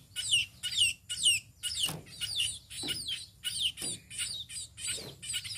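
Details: Tame sparrow chirping rapidly in loud, high, falling notes, about two per second, packed into a lively, continuous series.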